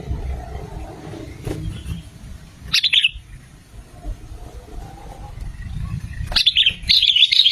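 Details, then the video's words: Sooty-headed bulbul song used as a trapping lure: two short bursts of bubbly, chirping notes separated by a quiet stretch, over a low background rumble. "SUARA BURUNG KUTILANG GACOR 2025"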